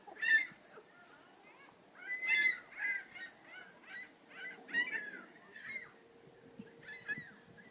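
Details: Several gulls calling together, with harsh, nasal, clipped notes overlapping in irregular bursts about every second or two, some louder cries standing out, over a faint steady hum.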